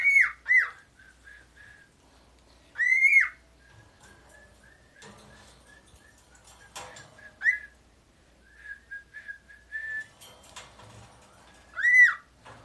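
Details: A 13-year-old pet male cockatiel, said to imitate the Japanese bush warbler, gives loud, rising-and-falling whistled calls with quieter chirps between them.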